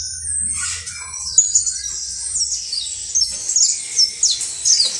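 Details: Saffron finch, canario basto criollo, singing quiet twitters that build into louder, sharply descending high whistled notes in quick succession over a low hum.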